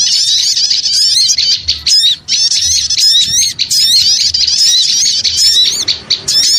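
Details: Noisy chorus of small birds recorded as a lure sound: dense high chattering with squeaky rising notes and buzzy trills, broken by a short pause near the two-second mark.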